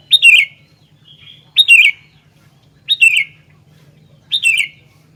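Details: Sooty-headed bulbul in busy song, repeating four lively gurgling phrases that slur downward, roughly every one and a half seconds, with a low hum beneath.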